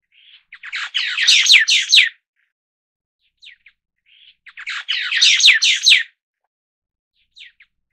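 White-browed Laughingthrush giving two harsh, rapid chattering bursts about four seconds apart, each ending with a few soft, thin notes.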